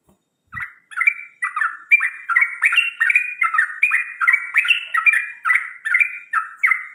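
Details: A bird whistles in the morning: after a brief low thump, a rapid, continuous chain of short whistled notes, slightly rising and falling, runs on for several seconds.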